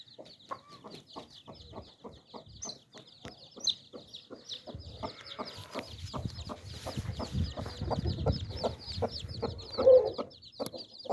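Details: Hen with nine chicks: soft, short clucks repeated steadily about twice a second, with a constant chorus of high, thin chick peeps above, growing busier and louder toward the end.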